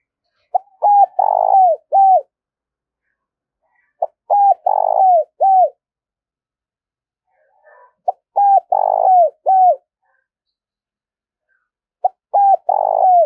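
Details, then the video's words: Spotted dove urging and calling coos used to train decoy birds: four phrases spaced about four seconds apart. Each has short clipped notes, a long buzzy throbbing middle note and a falling final note. Quiet background. "tiếng chim cu gáy thúc và gáy gọi dùng kích bổi tập mổi"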